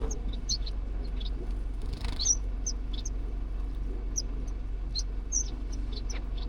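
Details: Zebra finches that made their home in an aviary give short, high, thin chips at an uneven pace, roughly two a second, over a steady low hum.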